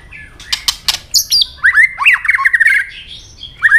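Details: Fighting song of a white-rumped shama: loud clicks and high notes, then a string of rapid, descending slurred whistles.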